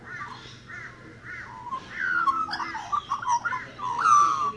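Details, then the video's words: A magpie sings three quick arched notes, then breaks into a rich, gurgling warble of mixed low and high tones, over a faint steady hum. "Song of the Magpie"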